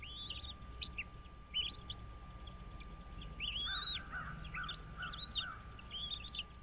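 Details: Bald eagles at their nest on Dale Hollow Lake on the Kentucky-Tennessee line, nest camera, 06:05 on 06.03.2023: scattered high whistled and slurred notes, one longer rising-falling whistle, and lower chirps beneath, over a continuous hum.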